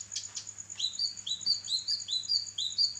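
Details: Kinoi songbird singing actively in a training recording for other songbirds: a run of short upslurred whistled notes, about five or six rising phrases close together, over a steady high hiss and a faint low hum.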